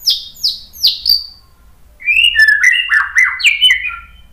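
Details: White-rumped shama training song: four sharp high downslurred notes, a pause, then a flowing string of lower whistled notes sliding and stepping in varied order.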